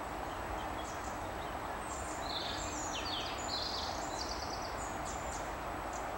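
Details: A Eurasian blue tit in Ooijpolder, Netherlands, gives thin, high, slightly buzzy notes and short trills over a steady background hiss.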